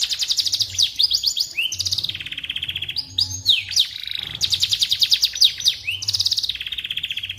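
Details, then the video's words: Song of a canary played to teach white-rumped shamas to sing: long rapid trills alternating with swooping whistles and brief buzzy rolls, loud and continuous. "Suara Burung Kenari"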